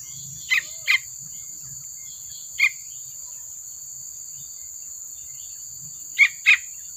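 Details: Young yellow-vented bulbul, whose calls are used as a lure to get silent bulbuls to sing, gives short, harsh, scratchy calls, mostly in pairs a few seconds apart, over a steady high insect hum.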